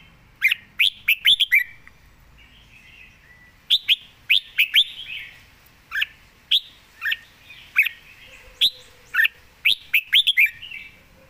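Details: Caged red-whiskered bulbul singing: bright, lively whistled phrases in quick clusters of three to five notes, each burst rising and falling, repeated with short pauses throughout; a faint low steady tone briefly underneath.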